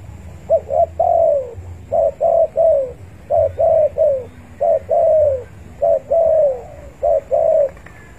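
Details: Spotted dove cooing to challenge rivals, a call used to lure birds for trapping: steady series of soft low notes, paired short coos then a drawn-out falling coo, phrases following each other closely, with faint low rumble behind.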